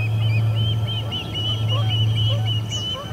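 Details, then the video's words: Osprey calls during the ejection of visiting ospreys at the Charlo P2 nest, 12:10pm MDT, August 20, 2020. High slurred chirps in quick succession, a few lower short whistles, over a steady low drone. "Visitors return; are ejected by C10 and Charlie, 8/20/20 - Charlo P2 osprey nest"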